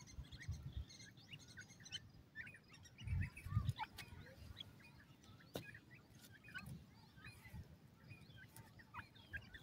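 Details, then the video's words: Kashmiri teetar partridge chicks at play give dense, scattered high chirps and brief rising peeps in irregular clusters. Low thumping and a sharp click near the middle sound beneath them. "kasmeri teetar ke awaz"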